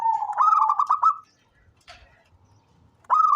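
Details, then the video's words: Zebra dove of local stock, a keen singer kept as a lure, delivers a rippling run of rapid pulsed coos that climbs slightly. After a quiet gap, a new phrase begins. "SUARA perkutut LOKAL gacor cocok buat pancingan rajin bunyi"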